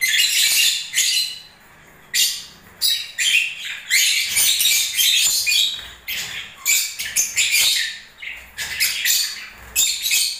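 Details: Lovebirds during breeding season uttering many sharp, high, scratchy chirps in irregular bursts, with short pauses between the clusters.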